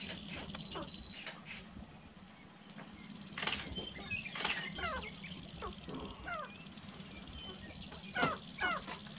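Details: Displaying sharp-tailed grouse on a lek in Burwell, Nebraska, March 29, 2018: rapid rattling bursts and clattering sounds, interspersed with repeated descending cackles and chirps, over continuous outdoor noise.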